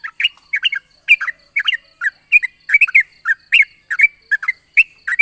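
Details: Lure recording of a yellow-vented bulbul's long 'ropel' morning song, meant to prompt other bulbuls to sing; short bright chirping phrases of two or three notes follow one another rapidly and unevenly throughout, with a clean quiet background.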